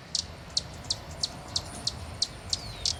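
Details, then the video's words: Hummingbird in Brazil giving short, very high, sharp chips, about three each second in a steady series, over a faint low rumble. "som de beija flor-hummingbird sound"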